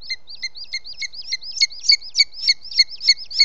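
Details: Booted eagle at its nest in Els Ports Natural Park, 18 June 2017 at 20:09, as the male brings in prey late in the evening: rapid series of high, hooked whistled notes, about three per second, each with a lower tone beneath.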